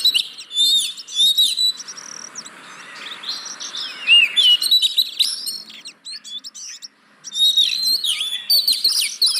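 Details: Kacer, the oriental magpie-robin, in full song meant to prompt lazy caged birds to sing: loud whistled phrases and chirps at the start and end, separated by a softer, hissy middle passage.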